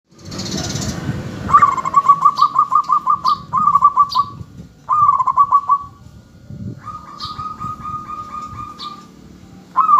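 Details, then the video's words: Local zebra dove used as a lure to make other doves answer, giving fast bubbling trilled coos near one pitch in repeated bursts, several phrases overlapping as other doves reply, with faint high chirps and low background rumble. "perkutut lokal gacor RAJA PIKAT Ahlinya Bikin Semua Burung Perkutut Gacor Dan Nyaut"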